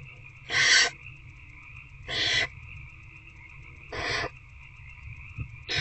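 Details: Barn owl owlet and adult in a nest box at night, one-on-one feeding: harsh hissing screeches about a third of a second long, repeated roughly every one and a half to two seconds, over a steady hum.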